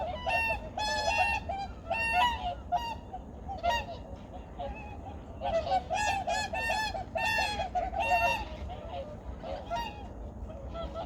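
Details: Migratory birds calling at Junam Reservoir in Changwon, South Korea, early morning, 2019; many overlapping honking calls from a large flock, in dense bursts with brief pauses, over a steady low rumble.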